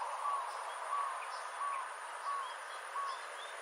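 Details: Dusky munia in Sabah, Malaysian Borneo, September 2022: short mid-pitched chip notes about every seven-tenths of a second, faint higher chirps, steady background hiss.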